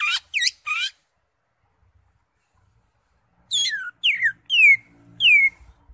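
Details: With its crest raised, a greater green leafbird (cucak hijau) sings continuously, its song packed with fill-in phrases for tutoring other birds. Three rising whistles, a pause, then four clear, sweeping downslurred whistles of increasing length.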